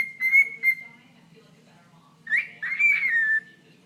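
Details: Talking to a toe, a pet bird gives two bright whistled notes, falls quiet, then lets out a grating, drawn-out chirp that rises and slides downward.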